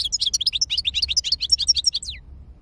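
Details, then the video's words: Lively European goldfinch song of quick, high chirps and tinkling twitters in rapid succession, ending with a downslurred note, over faint low hum. "تغريد الحسون"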